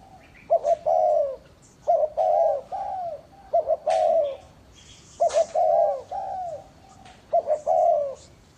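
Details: Lure spotted dove kept by a breeder in Ba Vi, Hanoi, Vietnam, cooing steadily: four repeated phrases roughly every two seconds, each two quick clipped notes then a longer drawn-out falling coo, with faint chirps and clicks behind.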